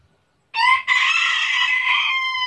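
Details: A rooster recorded by chance in Tabulahan, Mamasa regency crows loudly. A short opening note breaks off, then a long, steady, harmonic note is held for over a second, with faint low sounds before it.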